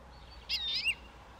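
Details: European greenfinch (Chloris chloris) giving one short, bright call of about half a second: a steady high tone with a slurred, buzzy tail that dips and rises, set against a quiet background.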